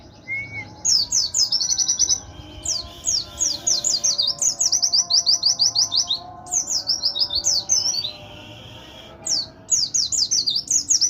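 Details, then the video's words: Song of an Oriental white-eye: rapid sequences of high, sweet downslurred notes in chattering phrases a second or two long, broken by brief pauses, with a faint background hum. "pleci nembak"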